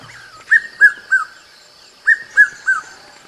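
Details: Red-chested cuckoo whistling its descending three-syllable Piet-my-vrou phrase twice, the notes clear and evenly spaced, with a soft steady high-pitched hiss behind.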